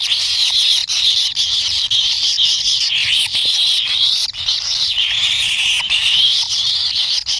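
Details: Wild kingfisher chicks in the nest, impatient for food from a parent: a steady, harsh, buzzy chorus of high begging with slight wavering in pitch, running without a break.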